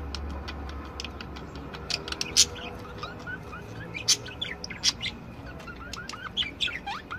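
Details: Budgerigar song from several birds: sparse sharp clicks alternating with short rising whistled slurs, the whistles becoming more frequent toward the end.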